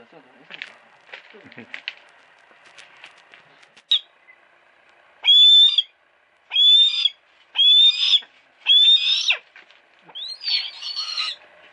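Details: Human voices and faint rustling give way to a run of five loud, shrill, whistled screams, roughly one per second, from a captive female hawk kept at a friend's house. Sony Cyber-shot DSC-HX30V recording.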